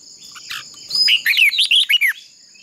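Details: Red-whiskered bulbul decoy bird in contest singing, used to train other bulbuls' voices: one rapid phrase of about six loud, slurred whistles, mostly falling, over a steady high insect-like drone.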